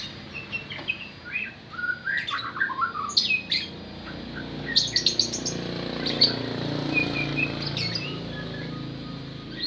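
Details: White-rumped shama song: quick varied whistled phrases and sliding notes in the first few seconds, followed by scattered sharp chips and short whistles against faint background hum.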